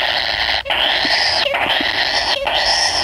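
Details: Kingfisher chick waiting for its parent, giving a continuous harsh, hissing rasp that is broken by three brief pauses.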